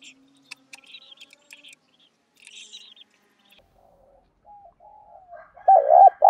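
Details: Spotted dove with a 'đồng pha' voice, used as a lure to draw in wild doves. High chirps and twitters from other birds fill the first seconds, then low soft coos build into a loud, rolling coo at the end.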